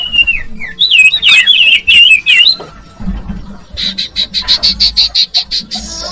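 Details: Common iora (cipoh, sirtu) song used as bait for young birds: warbled twisting whistles and squeaks, then a rapid even series of about a dozen high clipped notes.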